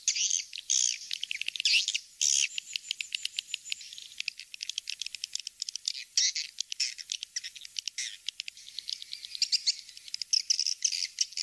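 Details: Recorded swiftlet calls used as a lure to draw swiftlets in: continuous bright chirping and rattling twitters, many overlapping, pulsing unevenly with short bursts and pauses.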